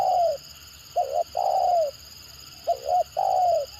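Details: Spotted dove calling in the 'gagap' stutter form, a lure voice meant to set other birds calling: a drawn coo, then two phrases of a doubled staccato note and a long smooth falling coo.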